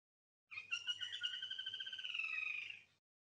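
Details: A flameback woodpecker gives a fast, rattling laugh of about twenty harsh, slightly descending notes over two and a half seconds, with a faint low hum underneath; the Soliga people believe this call signifies no danger or a clear path ahead.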